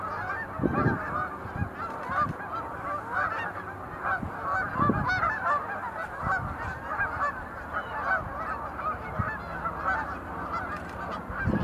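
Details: Sandhill cranes doing display leaps at the Montezuma National Wildlife Refuge visitor center in November 2020 keep up a dense, overlapping chorus of rolling, trumpeting calls, with occasional low thumps of wind or handling noise.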